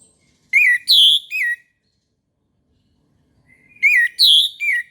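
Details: An orange-headed thrush sings at dawn-time in the morning, repeating a three-note whistled phrase twice, about 3.3 seconds apart, with silence between. The song is used to coax quiet caged birds to sing.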